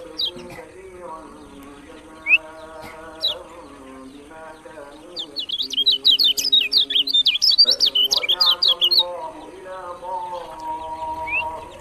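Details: Kecial kuning, the lemon-bellied white-eye of Lombok, gives a few isolated high notes, then a fast three-second volley of sharp, high chirps. Sustained lower tonal sounds run throughout.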